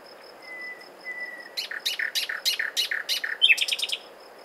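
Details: Common nightingale singing. Two soft, level whistles give way to a string of loud, evenly spaced, buzzy strokes, ending in a quick rattling trill. A thin, steady high tone runs beneath.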